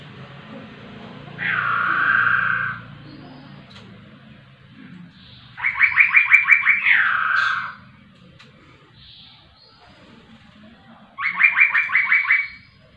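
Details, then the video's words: Energetic laughingthrush song: a long rough note, then bursts of rapid pulsed notes, about ten in quick succession, ending in a drawn harsh note, repeated after pauses of several seconds over low background noise. "poksay rowo super gacor"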